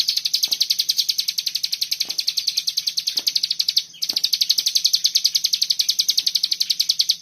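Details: Long burst of a common iora's 'bren rapet' song for bird tutoring, very fast high-pitched repeated notes with a brief falter around four seconds and scattered soft knocks underneath.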